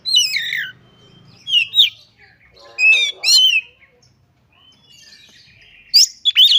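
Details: Oriental magpie-robin singing energetically, showing off learned song fragments: scattered loud phrases of falling whistles and rattling chirps, separated by pauses of a second or more, with faint low rumbling in places.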